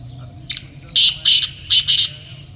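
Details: Black francolin, filmed while hunting: one soft note followed by four loud, rasping, grating notes in rapid, slightly uneven rhythm over about a second and a half.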